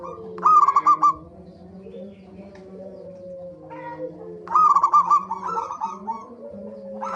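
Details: Zebra dove lure song for encouraging birds to sing: two bursts of rapid pulsed cooing about four seconds apart, with a long soft gap filled by faint tones and a low steady hum.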